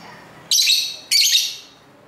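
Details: Pet lovebirds calling to one another indoors, captured with an internal camera mic: two shrill, raspy, high-pitched shrieks in quick succession, each about half a second long, against a low background hiss.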